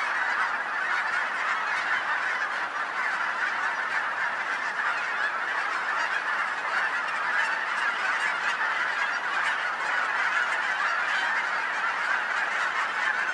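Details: Huge numbers of geese near a home in Colorado call without let-up, a long uniform wash of overlapping honks with no breaks.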